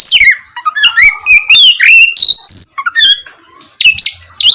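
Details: Oriental magpie-robin in loud, lively song, used to lure lazy birds into singing in the morning: rich varied whistles, rising and falling slurs, harsh chattering notes and sharp chirps in quick succession, mostly high-pitched.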